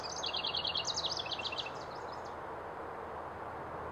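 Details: House wren singing from the start: a quick run of loud, high, bubbling notes repeated rapidly for under two seconds, trailing into a few fainter notes, then only low steady background rumble.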